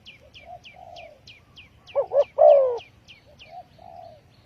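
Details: Spotted dove lure call for trapping: a loud double coo and long falling croo in the middle, softer distant dove coos around it, and another bird's thin high chirps repeating steadily throughout.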